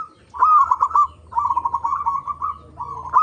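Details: Local zebra dove singing, a recording used to draw other zebra doves into song: bright trilled cooing phrases, the second one long and rippling, each beginning with a slight rising note.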